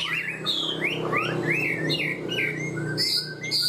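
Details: Chinese hwamei kept in a cage, singing high 'cao cầu' song: a series of quick rising whistled slurs repeated in a row, then sharper high notes, over a steady low background hum.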